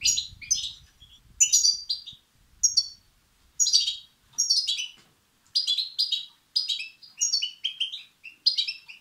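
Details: European goldfinch chicks begging, calls used to stimulate and excite males: high, buzzy, chirping bursts repeated about every half second to one second in an irregular series, with faint low thumps early on.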